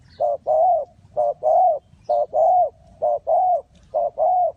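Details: Spotted dove in Ninh Thuận, Vietnam, at a bird trap, giving mellow low coos in groups: a short double note followed by a longer drawn-out croo, five sets repeated at a steady rhythm over a quiet background.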